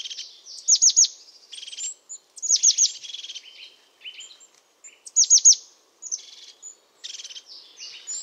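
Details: European crested tit (Lophophanes cristatus), a year-round resident of pine forests in Portugal, giving high, thin buzzy trills punctuated by bursts of three or four sharp descending notes, repeated every couple of seconds.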